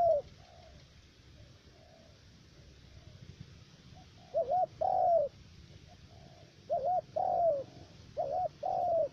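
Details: Spotted dove decoy, three-note voice, at a trapping spot in U Minh, Cà Mau, Vietnam: faint distant coos at first, then loud close coo pairs, short wavering note and longer falling note, repeated three times.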